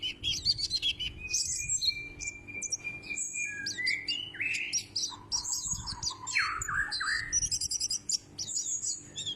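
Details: White-breasted white-eye resembling the Sumbawa kecial, singing loudly in a lively stream of high chirps, a long level whistle and quick rattling tweets, with some lower slurred notes mixed in.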